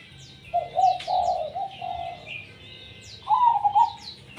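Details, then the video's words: Zebra dove (perkutut) in active tumpang sari song: soft, low cooing phrases of rolling, trilled notes, a run in the first half and another after a pause, while many small birds chirp and twitter high above. "perkutut gacor tumpang sari"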